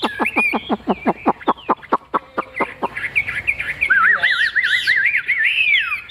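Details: Chinese hwamei in a cage, a big-tailed bird praised for its voice. It opens with about fifteen sharp, evenly spaced notes, then shifts into a rippling, wavering whistle with overlapping sweet phrases.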